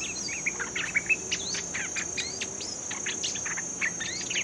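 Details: Bulbul being trained after capture delivers a busy run of short whistled notes and quick upslurred chirps, several closely spaced, over a steady shrill insect tone.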